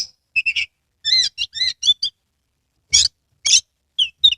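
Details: Oriental magpie-robin from Kebumen, Central Java, singing actively with its tail spread, a lure to prompt other magpie-robins to sing: short bursts of sweet whistles and chirps at varied pitch, separated by brief pauses, with a gap before two loud notes.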